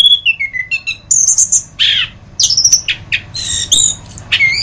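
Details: Orange-headed thrush, anis kembang, in a masteran tutor recording: varied high song of short whistled phrases, some falling, others sharp and rising, separated by brief pauses, over a faint low hum.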